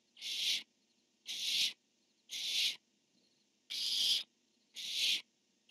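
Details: Barn owl pair on a nest camera, the male calling and the female replying: six harsh, breathy screeches in quick succession, about one per second, slightly uneven in spacing.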